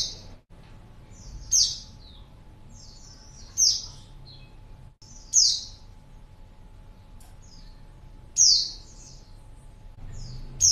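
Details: Luring call of a female white-eye meant to draw a male to reply: high, sharp downslurred chirps roughly every two seconds, each followed by softer short twitters, over low background hum.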